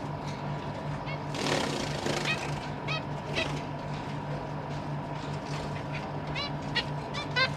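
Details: Zebra finch family in a big cage with young birds practising flight, December 2023: intermittent nasal calls, a brief rustle or wing noise early on, and a steady background hum.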